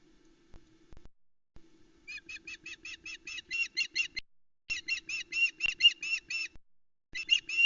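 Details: An osprey female at a Loch Arkaig nest, Scotland, 17 July 2020, shouts at the nest edge while the male arrives with a fish for the chicks; piercing whistled notes rattle out in fast bursts of about a dozen, with a low hum beneath.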